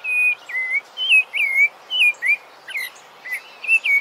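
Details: Sabiá-laranjeira, the rufous-bellied thrush Turdus rufiventris, singing as a training model: clear, fluting whistled phrases, each a short wavering slur, repeated about twice a second over quiet background.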